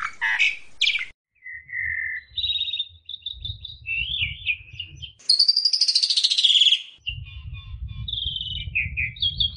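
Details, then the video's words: Asian pied starling song in the 'ngentrok' style meant as therapy for home-kept magpie robins: harsh rasping bursts, a clear level whistle, mixed whistled phrases, then a long buzzy high warble, with low rumbling noise in the gaps. "TERAPI JALAK SUREN SUPER NGENTROK"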